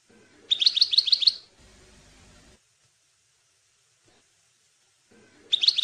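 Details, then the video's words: European goldfinch (maknin) tutoring song for young goldfinches: two brief bursts of rapid, evenly repeated high chirps, separated by a stretch of faint hiss and near silence. "chant maknin pour écolage jeune chardonneret"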